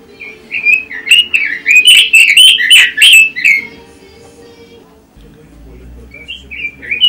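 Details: Pekin robin in ngoceh song, a continuous chattering warble: one long run of quick, bright, fluty and twittering notes lasting about three seconds, then near silence and a faint resumed phrase, with low background hum.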